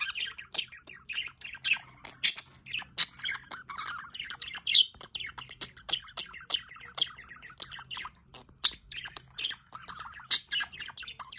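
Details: Budgerigars in an aviary with a solar water fountain chatter nonstop: dense overlapping chirps, squeaky warbles and sharp squawks, with several birds calling over one another and loud bursts every second or so, and no other clear sounds.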